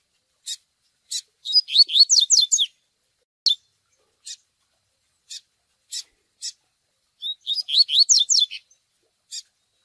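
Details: Rusty-collared seedeater singing a TUI TUI song with chick peeps, used for training: spaced single sharp high notes, interrupted twice by fast runs of rising, slurred whistled notes. The background is otherwise silent.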